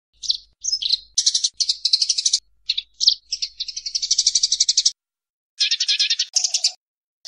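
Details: Eurasian tree sparrow fighting call, used as training audio for songbirds: bursts of harsh, rapid chattering notes repeated about four per second, broken by short gaps.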